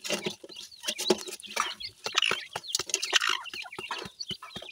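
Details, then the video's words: Dakhni teetar partridge chicks at play, giving thin high peeping chirps scattered over the clip, mixed with many sharp clicking and tapping sounds. "dakhni teetar k chozay,pheasant chicks play time"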